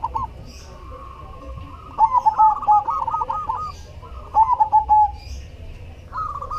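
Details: Cemani zebra dove in full song: a rapid series of short, clipped coos flowing into a gentle rolling trill, two main phrases about two and a half seconds apart, with a quiet low rumble behind.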